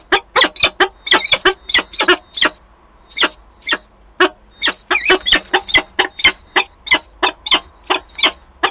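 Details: Peregrine falcon at the nest in Wałbrzych, Poland, 8 August 2022, during a meeting between birds: a long, fast, rattling series of loud, grating notes, briefly pausing before resuming in an insistent chatter.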